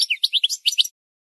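A goldfinch sings a quick burst of about seven bright, high, tinkling twitters in under a second, then falls silent.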